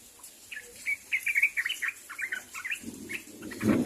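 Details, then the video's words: A sooty-headed bulbul gives a rapid string of bubbly, slurred chirps as it calls to others, followed by a short burst of low rustling noise at the end. "SUARA BURUNG TRUCUK MEMANGGIL KAWAN | AGAR TRUCUK CEPAT NYAHUT"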